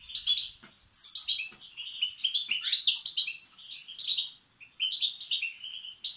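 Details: European goldfinch young begging, played to excite and stimulate males; nearly continuous shrill, wheezy twittering in overlapping bursts, high-pitched and scratchy.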